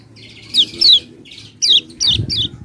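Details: Common iora lure song meant to make reluctant birds sing: fast falling whistles run together with short buzzy notes in quick bursts, over faint low background rumble.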